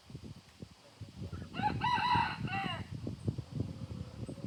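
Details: Chicken on a farm at sunrise, among ducks and goats, gives one hoarse, multi-part crow lasting about a second, rising then dipping at the end, over low farmyard rumble and scattered clucks.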